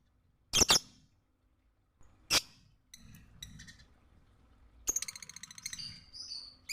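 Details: Lovebird recorded for training other birds: sharp double chirps, a single shrill squeak, faint ticking notes, then a long rapid buzzy chatter of stacked squeaky tones.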